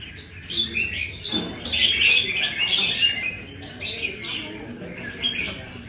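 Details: Nam Đông red-whiskered bulbul tested lightly at a Đà Nẵng café, Vietnam, delivering rapid bright warbles and twittered notes in clusters that swell and fade, over quiet low hum.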